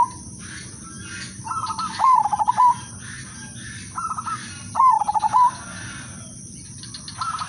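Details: Melodious lure song of a silver udanmas zebra dove: short bubbling coo phrases repeated every few seconds, each a quick run of rolling notes, with a second bird's softer phrases between.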